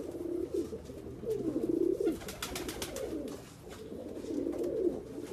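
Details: Persian fancy pigeons cooing: low, rolling, throaty coos that swell and fall in overlapping phrases, with a burst of sharp clicking or rustling noises in the middle.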